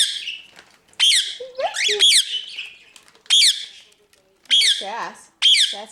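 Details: A pet cockatoo at breakfast, chattering alongside a ringneck parrot and a cockatiel while food is prepared, gives harsh, raspy squawks in short bursts about a second apart, mixed with lower warbling, talk-like notes.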